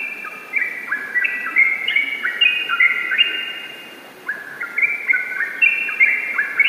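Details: Long ropel-style song run from a yellow-vented bulbul: fluid whistled phrases tumbling up and down, a brief lull near the middle, then another lively burst of overlapping notes.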